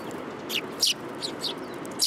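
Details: Sparrows in a city coming to be fed, recorded 30 November 2015: short high chirps in scattered bursts over steady low urban background noise.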